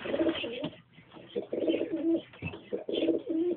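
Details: Pigeons, a pair with a youngster: rolling, throaty coos in bursts separated by short pauses, with a faint high squeak now and then.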